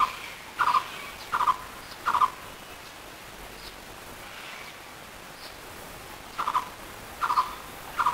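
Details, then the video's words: Blue-throated barbet giving mellow, rolling notes at mid pitch, three in quick succession about once a second, a pause, then three more. "Sweet voice of Blue-throated Barbet bird || বসন্তবৌরির ডাক"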